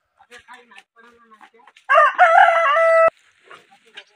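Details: A desi rooster lets out one loud crow with a harsh start and a held final tone, with faint clucks and softer bird sounds before and after.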